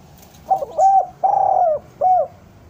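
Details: Spotted dove cooing, played to lure doves down: a short double coo, then a long, level, slightly falling coo and one closing note, mellow and low-pitched against a quiet background.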